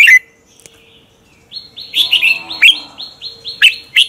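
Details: Red-whiskered bulbul lure song for training birds to duel: one bubbling phrase, a pause, then a string of short rising whistled notes repeated several times a second, broken by louder slurred chirps.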